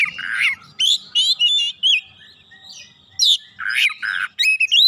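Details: Oriental magpie-robin singing hard in reply and unloading its fill-in repertoire: harsh grating notes mixed with clear rising and falling whistles in rapid, irregular bursts.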